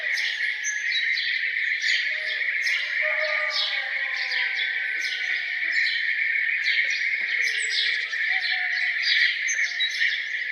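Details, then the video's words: Farmhouse birds in their morning songs, a busy overlapping chorus of sharp chirps and trills throughout, with low gliding whistles and a constant high background hum. "Relaxing sound of birds singing down on the farm"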